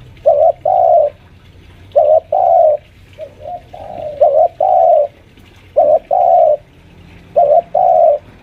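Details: Caged senior spotted dove lure about five years old, pressing a rival; rhythmic coo phrases of a short bent note and longer coo, repeated four times with a soft murmured series in the middle, low background hum.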